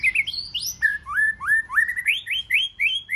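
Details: White-rumped shama, a wild-caught bird singing in competition, delivers a quick run of rising whistled upslurs repeated several times per second, mixed with high chips and sliding notes.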